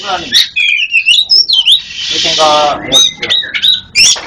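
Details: Black-chested Oriental magpie-robin from East Java, masteran recording: twisting upslurred whistles and chattering notes, then an extended scratchy buzzing rasp, ending with thin sharp whistles.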